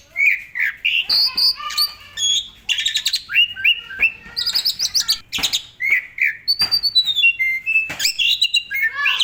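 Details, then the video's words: Varied 'gacor full isian' song of an Asian pied starling, played as a tutor for other cage songbirds. Dense and continuous, it mixes upslurred whistles, harsh chatters, clicks and a descending series of clear notes. "SUARA BURUNG JALAK SUREN GACOR FULL ISIAN AMPUH buat MASTERAN SEMUA BURUNG KICAU"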